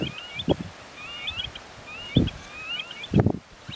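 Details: Eared (black-necked) grebes at Benton National Wildlife Refuge near Great Falls, Montana, in late May 2019, giving several faint, high, rising whistled calls in a row under low thumps and rustling close by.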